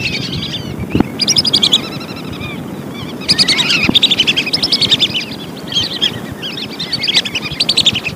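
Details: Lesser whistling ducks calling for use as a hunting lure: repeated runs of fast, high, chattering whistles in distinct bursts separated by short pauses, with occasional knocks and a low noisy hum.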